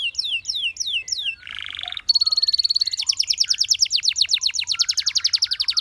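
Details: Singing canary delivering four downward-sliding whistles, a brief harsh buzzy phrase, then a long fast trill of high repeated notes.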